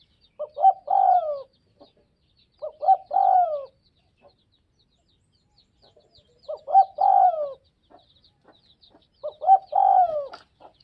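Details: Spotted dove from the Northwest (Tây Bắc) region giving low, mellow cooing phrases. Each is a short stutter of notes rising into a longer, slurred, descending coo, repeated four times about every two to three seconds. Faint high chirps from other birds sound behind.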